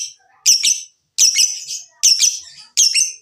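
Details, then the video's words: Lovebird chatter meant to stimulate singing in other lovebirds: four harsh, buzzy double bursts of high notes, each lasting about half a second, separated by short silences. "Pancingan Jitu Lovebird BUNYI dan Ngekek, menjadikan Lovebird Rajin Bunyi"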